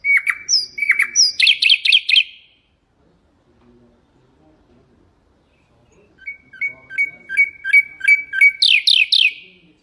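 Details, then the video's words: Common nightingale song, used for teaching goldfinches and canaries to sing: a sharp whistled note, then fast rattling trills, a pause, then rapid repeated clicking notes building into rising buzzy trills. "تغريد طائر العندليب الحسنية لتعليم طيور الحسون والكناري بدون أخطاء"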